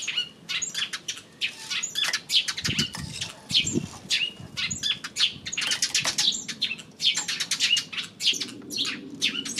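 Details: Eurasian tree sparrows recorded on 28 May: a dense, continuous chatter of sharp overlapping chirps and tweets from several birds, with soft low rustling underneath.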